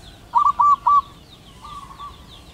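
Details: Male zebra dove calling to a female: three quick, soft, low cooing notes, then a fainter drawn-out coo, against a quiet background.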